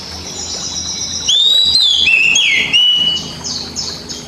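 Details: Oriental magpie-robin kept as a caged pet, played as basic training song for reluctant singers. Faint high buzzy notes give way to a loud whistled phrase with sliding drops, ending in short repeated buzzy notes.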